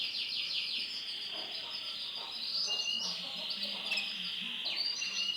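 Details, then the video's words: Male silver-coloured canary singing a continuous high, rapid trilling song of rolling, chattering phrases that shift between tones with barely a break, against a faint background hiss. "CANARY JANTAN WARNA SILVER"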